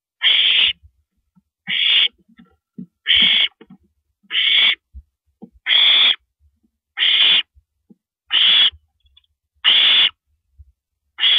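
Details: Owl on a live nest camera at 1:27 AM on April 9, 2012, as a female swallows a rabbit; about nine harsh, hissing screeches, each half a second long, repeat steadily with faint low thumps between them.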